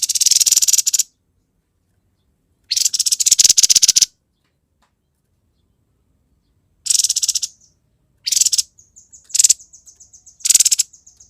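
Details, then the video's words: Grey-headed babbler in energetic 'konslet' style: loud, harsh, rasping bursts about a second long separated by pauses, later shorter chattering bursts and a thin high whistled trill between them. "TEPUS KEPALA ABU GACOR KONSLET"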